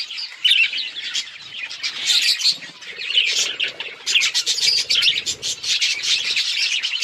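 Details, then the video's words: Budgerigar chirping: dense, continuous high chatter of quick twittering notes and buzzy warbles with loud bursts, with no pause and no other sounds. "Budgrigar Bird Sound to Reduce Stress | chirping noises"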